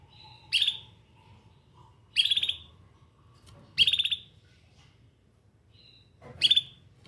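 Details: Canary uttering four crisp, high, buzzy chirps at irregular intervals of one to two seconds, with a faint thin tone in the quiet gaps.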